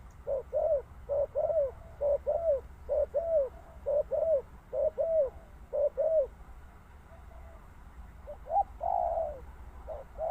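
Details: Spotted dove cooing in a rhythmic run of short-then-long paired notes, about ten pairs over six seconds, followed by a gap, a harsher drawn-out coo and a final note.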